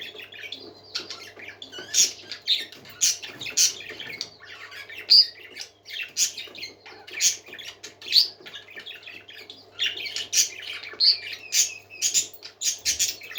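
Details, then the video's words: A flock of parakeets indoors keeps up nonstop chatter of buzzy warbles, sharp squawks and high whistled squeaks, rising and falling in short bursts over a low hum. "Happy Parakeets Singing"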